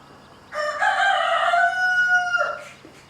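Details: Single loud crow from a rooster that is harassing a momma hen and chicks, a two-second steady buzzy note ending in a downward slur, followed by brief quieter rustling.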